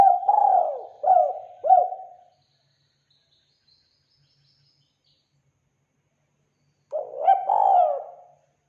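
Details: Spotted dove lure call: a coo phrase ending in two short notes, a long silence with a faint high thin sound, then another coo phrase begins.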